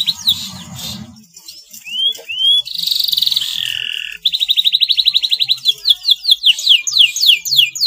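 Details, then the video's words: Yellow male canary, slightly in breeding condition, singing: low rumbling background at first, then curved whistled notes, a buzzy sustained phrase, a fast even trill and finally a series of loud descending sweeps. "KENARI JANTAN KUNING GACOR SEDIKIT BIRAHI"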